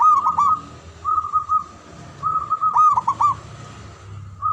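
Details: Cooing of a male zebra dove: clusters of quick rolling notes run into steady purring trills, repeated over several seconds with brief pauses between phrases, above a faint low hum.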